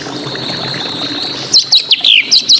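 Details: Drongo song: a thin sustained whistled tone, then half a dozen sharp, clear downslurred whistles in quick succession.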